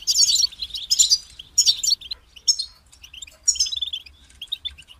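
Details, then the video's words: Separate short goldfinch phrases, each a burst of high twittering notes, come roughly every second, growing sparser and softer toward the end; quiet low hum behind. "Highlighting motivating songs for creative goldfinches in simple ways"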